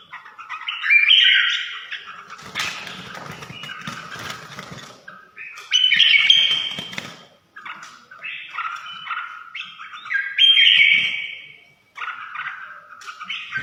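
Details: Red-whiskered bulbul giving short bright whistled phrases in separate bursts, with rustling and fluttering noise between them.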